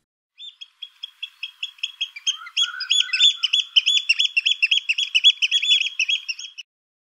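Oystercatcher giving loud, shrill piping notes, at first spaced apart, then quickening into a fast excited run of 'kleep' calls. A brief lower note sounds midway.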